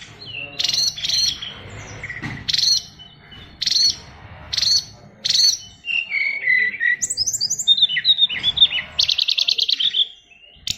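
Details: Caged oriental magpie-robin singing a song crammed with learned phrases: a sharp high note repeated about once a second several times, then tumbling whistles and a fast, buzzy trill near the end.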